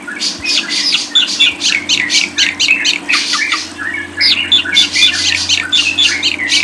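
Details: Lovebird chattering nonstop, a dense stream of harsh squawks and sharp chirps, about four a second, over a steady low hum.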